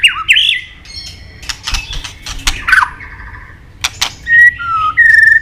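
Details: Actively singing white-rumped shama, its song packed with fillers and used as a lure to get other shamas singing: a bright opening whistle, scattered sharp clicks, then clean level and dipping whistled notes.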